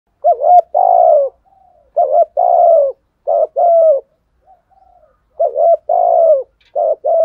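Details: Spotted dove, a male used to provoke rivals, giving the deep 'thổ sấm' voice: a repeated two-part coo, a short rising note then a longer falling note, in rows of three phrases, with faint softer coos between them.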